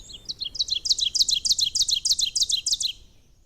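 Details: Ovenbird singing in its forest breeding grounds later in the morning, in spring: a loud, piercing 'teacher teacher' of about ten sharp two-note phrases, growing louder through the three-second song, echoing through the forest.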